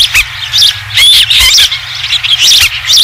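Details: Osprey calling at a ranch nest on 20 July 2016 when the first fish returns; sharp, high chirps in short irregular bursts over a low, constant hum.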